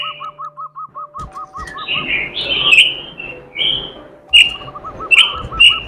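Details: Robin in steady, melodious song filled with imitations: a run of short, evenly spaced lower notes, then bright high warbled and whistled phrases with sharp chips, the low note series returning at the end.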